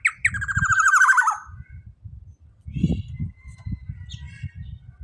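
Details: Black-naped oriole in full voice, giving a loud grating series of fast pulsed nasal notes sliding gently downward, then sparse faint chirps above a rumbling low background.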